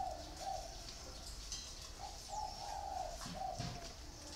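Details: Caged spotted dove cooing softly, short low notes and a longer drawn coo, partly buried in loud broadband noise.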